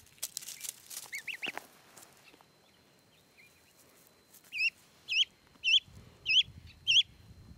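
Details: Canada gosling rescued from the Applegate River roams a backyard; after early scuffling and brief fainter chirps, five clear high, downslurred peeps come at half-second intervals, with low rumbling noise beneath the final calls.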